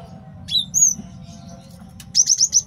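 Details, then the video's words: Male cinereous tit, a master song for luring and training birds. A couple of separate high whistled notes come first, then a quick burst of four sharp repeated high notes, over a faint low hum. "MASTERAN GELATIK BATU JANTAN BAGUS BUAT MIKAT DAN MASTERAN BURUNG JAWARA"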